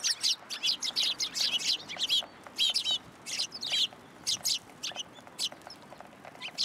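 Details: Sparrows visiting a feeding post at a Tenmangu shrine, February 2023: a near-continuous run of loud, clipped chirps, several birds calling at once, then thinning to sparser notes.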